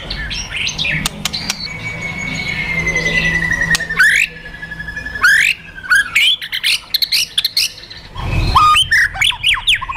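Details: Provoked fighter white-rumped shama with kretekan and tembakan calls: a long slowly falling whistle, sudden loud rising slurs, then a burst of fast varied chirps, clicks and whistles after a short pause.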